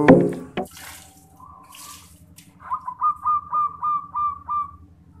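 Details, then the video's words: Local zebra dove, perkutut, in a master cooing song used to lure birds: after clunking handling noises, a run of about eight quick, clear, whistled coo notes, evenly spaced and slightly rising, then fading. "PERKUTUT MASTERAN MANGGUNG AMPUH BUAT PIKAT"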